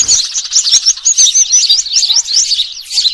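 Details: Noisy Eurasian tree sparrow lure recording for trapping birds, made 3 June 2023: rapid, busy high chirping from several birds crowded together. It sounds continuous and excited, with brief squeaky notes and a soft flutter at the start.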